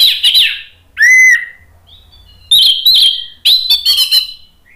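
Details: Lively song of an orange-headed thrush, kept to goad other birds into singing: short loud bursts of sharp chirps and a bright, downslurred whistle, separated by brief silences, with a low hum beneath.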